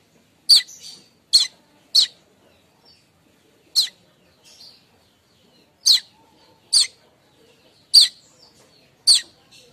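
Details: Streaked weaver chattering in the morning, a sound used to lure other weavers: sharp, high chip notes repeated irregularly, about eight over ten seconds, with quiet gaps between them.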